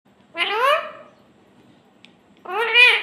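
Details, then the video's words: Talking parrot giving two short clear voice-like utterances, each a rising, harmonic-rich phrase about half a second long, separated by a quiet gap of over a second in an otherwise silent indoor setting. "Clear Voice Talking parrot 🦜 इतना अच्छा और स्पष्ट बोलता है"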